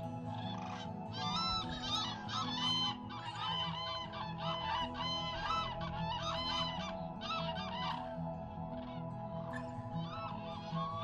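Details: Black-necked cranes, a large flock flying back to their night roost at dawn to leave for feeding, wintering at Huize Black-necked Crane National Nature Reserve, Yunnan-Guizhou Plateau wetlands, give loud trumpeting calls in overlapping bursts, about one a second, over soft music.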